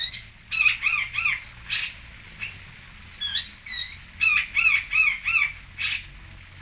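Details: Song of a cendet, the long-tailed shrike, from Singosari: repeated arched whistled notes in quick groups, interspersed with scratchy broadband rasps and short pauses.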